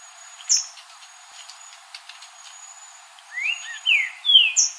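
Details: Green-winged saltator singing in nature: after sharp high chip notes and a thin steady insect-like tone, a run of three or four loud slurred whistles rises and falls in quick succession near the end.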